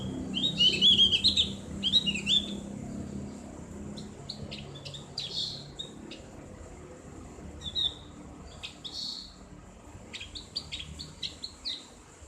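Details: Javan grey-throated white-eye in a ngriwik song recording for conditioning caged birds, with loud twittering chirps early on, then sparse short high notes over a low background rumble.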